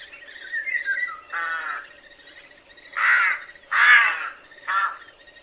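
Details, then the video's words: Caws of a rook, deep and croaking, four rough calls spaced unevenly with softer grating notes between, over a constant low hum. "¡Escucha el graznido del GRAJO!"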